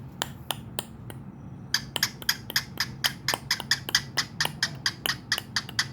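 A cockatiel makes sharp, dry tongue clicks, trading them back and forth with a person clicking too.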